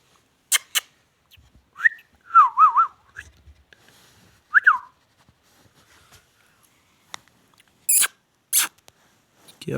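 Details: Indian ringneck parakeet, a talking parrot, giving short rising whistles and a wavering warbled whistle between sharp clicks and taps, with brief broadband bursts near the end.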